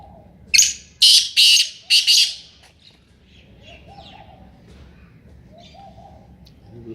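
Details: Kala tetar, the black francolin of the Sindhi kabootra type, calling four harsh, scratchy bursts in under two seconds; afterwards only soft, low, repeated cooing notes from another bird remain in the background.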